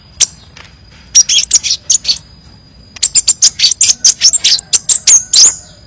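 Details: Varied song of a crimson sunbird for bird training: a lone sharp note, then a run of high twittering chirps, then a longer, denser burst of rapid piercing notes.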